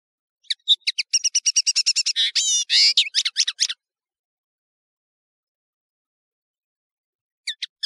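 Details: European serin song, called nino in Algeria and camacho in Morocco, recorded for tutoring other birds: three seconds of fast, sizzling, tinkling jingle, then silence until a few thin notes return at the very end.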